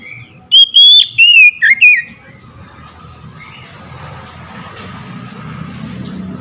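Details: Oriental magpie-robin singing in response to hearing another magpie-robin: a short burst of loud, clear whistled phrases with sliding notes over about one and a half seconds, then quiet background hum.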